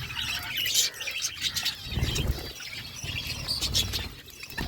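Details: Flock of budgerigars eating food, giving dense, overlapping high chirps and warbles in uneven bursts, with low rumbling noise underneath.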